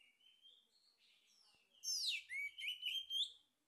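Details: Male orange-headed thrush song used as a lure for singing: a soft, wandering whistled prelude, then four or five loud, sweeping, slurred phrases delivered in quick succession.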